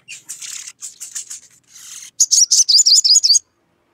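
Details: A sogon in full voice, calling a rival to provoke it: a scratchy, broken chatter first, then a clean burst of about nine rapid high, looping whistled notes.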